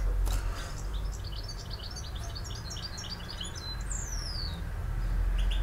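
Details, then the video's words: European goldfinch singing in the campero song style: a fast run of bright, chirpy twittered notes high in pitch, repeated several times a second, with a long descending whistled slur near the end over steady low background rumble. "El Jilguero BiH 15"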